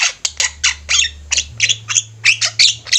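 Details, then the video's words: A noisy flock of Javan mynas, recorded as a master track for teaching birds. Rapid, grating squawks follow one another about three times a second, each burst rough and wide-toned, over a faint low hum. "Jalak ombyokan gacor, cocok buat masteran"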